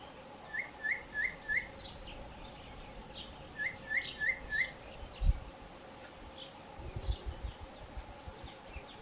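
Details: Male Cape batis giving its four-note call while foraging for insects in foliage: two runs of four short, even-pitched whistled notes, evenly spaced, about three seconds apart. Faint higher chirps from other birds, a steady hum and low rumbling noise.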